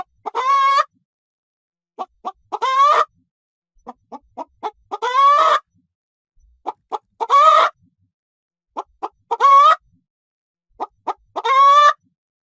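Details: Farmyard chicken giving a steady cackling sequence: groups of two or three quick clucks, each followed by a long strained squawk, repeating roughly every two seconds.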